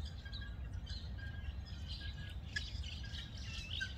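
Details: Night chatter from roosting guineafowl in Gqeberha, South Africa, several groups in separate trees calling back and forth; thin, fainter squeaky chirps and short squawks come in loose bursts over a constant low background hum.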